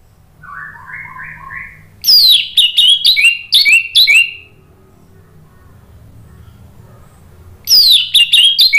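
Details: Orange-headed thrush singing, used to coax a silent bird into song. A short soft trill opens, then a rapid run of loud, sharp, descending whistled notes; a pause follows before another bright burst begins.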